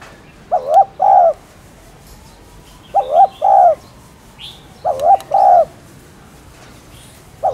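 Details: Spotted dove cooing, used to stimulate caged doves to coo: three mellow two-part phrases, a short wavering coo then a longer fuller one, spaced about two seconds apart over a quiet background with faint high chirps.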